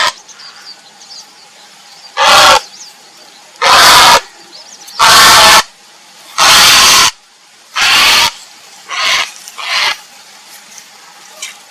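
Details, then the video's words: Grey heron calling for a mate: seven loud, harsh, rasping squawks, each about half a second long, spaced every one to two seconds with quiet gaps between them. "เสียงนกกระสานวลร้องหาคู่ Grey Heron call"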